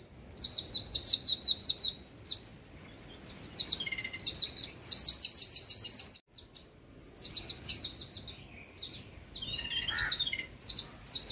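Yellow-billed babblers give bursts of high, squeaky chirps repeated rapidly in chattering runs, separated by short pauses, with one lower sliding note near the end.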